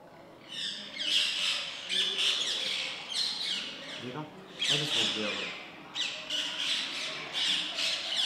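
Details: Baby rose-ringed parakeet being fed by a male: harsh, raspy broadband squawks in rapid bursts, swelling and fading in rough waves with short pauses near four and six seconds.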